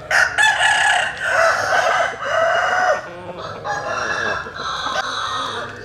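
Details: Roosters crowing at early dawn while chickens sun themselves in the morning: long, loud, harmonic crows overlap for several seconds, one rooster answering another, with a rougher, fading crow at the end.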